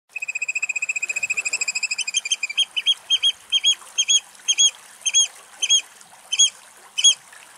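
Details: A Eurasian oystercatcher in Greece, possibly giving alarm calls, makes loud, shrill piping notes: first a rapid run of about twenty, then slower doubled 'kleep' calls roughly every half second.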